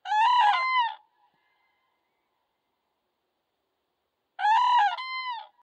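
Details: Common cranes met by chance in fields in Poland give two loud, rolling trumpet calls, each about a second long and about four seconds apart, with silence between.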